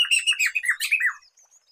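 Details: Black-throated laughingthrush (poksay medan) singing, a recording meant for luring and training songbirds: rapid string of rich downward-slurred notes that ends abruptly, followed by a faint thin whistle.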